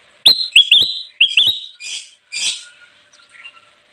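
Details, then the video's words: Kutilang emas bulbul in energetic full song, used for luring wild birds: loud, clear whistled phrases with quick upward-kinked notes repeated in a tight sequence, followed by a few buzzier chattering notes and softer trailing calls. "suara burung kutilang emas gacor cocok banget buat pikat"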